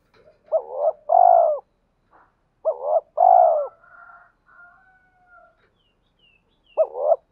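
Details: Cooing of a decoy spotted dove, meant to provoke fighting and to call a mate and to coax reluctant wild-caught birds to coo: three two-part phrases, each a quick doubled note then a long, soft coo, about 3 seconds apart, with faint thin whistles between.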